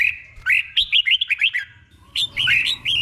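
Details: Caged red-whiskered bulbul with the doubled 'boen' song used to train other birds: a quick string of about eight bright whistled notes, a short pause, then a second richer warbling phrase.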